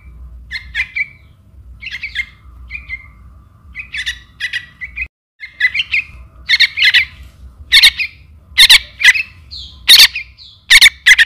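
A White-breasted Waterhen chick gives harsh, squeaky chirps at irregular intervals, growing louder and more insistent toward the end as it calls for its parent.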